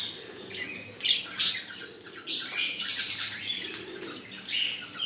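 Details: Lutino cockatiel at a bird market giving a mating/breeding call: bright, scratchy chirps and whistled notes in uneven bursts.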